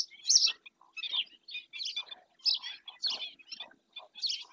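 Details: At Doñana National Park in Spain, a black-winged stilt on a wildlife camera gives scattered high, harsh yapping notes, one loud at the start, then spaced calls about every half second.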